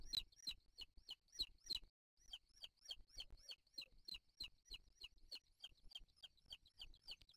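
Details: Booted eagle (Hieraaetus pennatus) eaglets at the nest, 3 July 2023, beg as the male arrives with a bird to feed them: a rapid series of thin, high, downslurred squeals, about three every second, broken by a brief pause.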